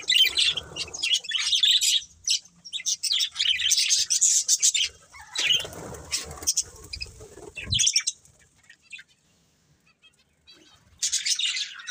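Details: Pet budgies chirp in lively bursts of high, scratchy twittering, then go nearly quiet for a few seconds before a final short burst of chatter. Soft fluttering sounds are heard between the calls.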